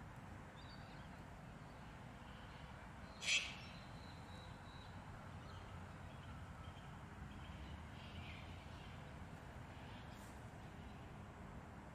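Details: A sulphur-crested cockatoo at Shepherds Bush, Melbourne, Victoria, Australia, on 5 August 2021 gives a single harsh, raspy screech over steady low rumbling background noise, with a couple of faint distant calls later.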